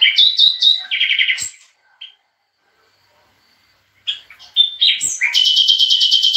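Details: European goldfinch song: quick bursts of bright, high twittering notes, then a pause of about two seconds, then a dense, buzzy, rapidly pulsed trill.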